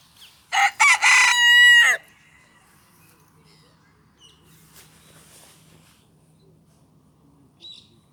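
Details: Cochin rooster crowing in a park: one loud harsh crow lasting about a second and a half, broken into rough opening bursts then a strained held note, followed by quiet with faint distant sounds.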